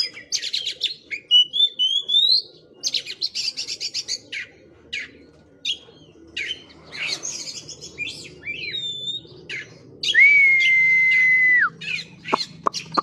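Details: Oriental magpie-robin showing off its full song repertoire: rapid chattering and varied mimicking phrases, rising whistled slurs, then one long steady whistle held over a second, ending in sharp clicks.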